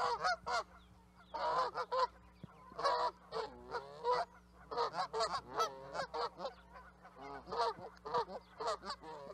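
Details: Canada geese honking in clustered bursts, each a flurry of overlapping harsh calls lasting about a second, separated by brief lulls.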